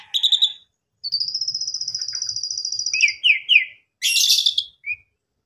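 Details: Asian pied starling (Gracupica contra) song, a caged bird back in full song after its owner's holiday trip: harsh chattering notes, a long steady whistled trill, quick squeaky phrases, then a burst of grating, noisy sound.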